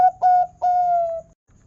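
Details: Local zebra dove (perkutut) in big 'kung' voice style, used to prompt zebra doves to sing: a brief note and then two smooth coos, the second long and gently falling.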